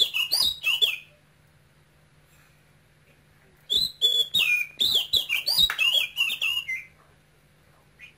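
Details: Male oriental magpie-robin from Cambodia, caged and raised from a nestling, singing with a Quang Ngai-style voice; two bursts of loud, high whistled and slurred notes around 3–4k, separated by a long pause, with a steady low hum beneath.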